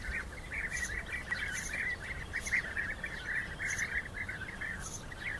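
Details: European bee-eaters in a rivals' fight, giving a continuous chatter of rolling, burry calls that overlap one another, with faint higher clicks above and low rumbling background noise outdoors.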